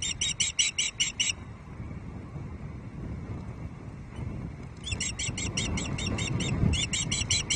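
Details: Female osprey at Loch Arkaig on a May 2023 evening, complaining to the male over a small fish supper: two runs of shrill, evenly spaced piping notes, about eight per second, broken by a quiet gap filled with low rumble.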